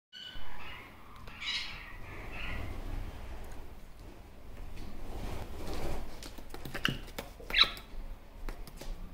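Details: A one-year-old male Superb parrot (Barraband parakeet), indoors, chattering to himself at a mirror, gives a few soft, scratchy chirps and warbles with long pauses, ending in one sharper squeak, over a low indoor hum.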